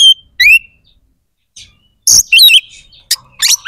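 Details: White-rumped shama singing to rouse other shamas' aggression and breeding urge: a rising whistle, then scattered sharp chirps and harsh noisy notes separated by silences.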